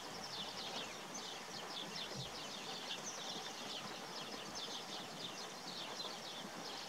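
Wood sandpiper calling in quick runs of high, sharp chipping notes, repeated steadily throughout over a constant hiss of background noise.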